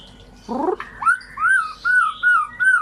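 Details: White-rumped shama song used to stimulate silent birds: a brief gurgling rattle, then a series of five clear, slightly rising whistled notes spaced evenly about every third of a second.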